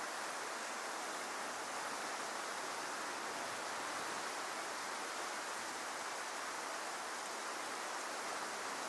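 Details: Continuous broadband roar of water or surf, steady throughout, with no birds or other animals audible.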